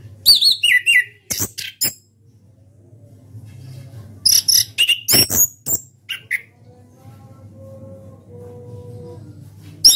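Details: Orange-headed thrush, a legendary national champion contest bird, singing in the ngeplong style: separate bursts of sharp high chirps and short whistled phrases with long pauses between them, over a steady low hum.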